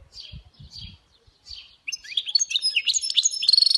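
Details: European goldfinch hybrid (mule) singing: a few soft, evenly spaced chirps, then a sudden loud, fast twittering run of bright high notes and trills that grows busier toward the end.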